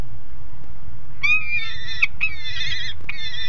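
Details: At Alphen aan de Rijn on 30 July 2016, 12:30, a noisy young peregrine falcon on the nest grate gives long, harsh, whining wails, nearly a second each, three back to back with brief breaks, over low background rumble.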